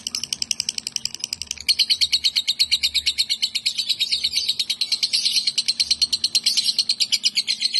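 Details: Female lovebird with kapas tembak and cucak jenggot song elements gives a rapid, steady stream of high, shrill chirps, about three a second, growing louder and denser after two seconds.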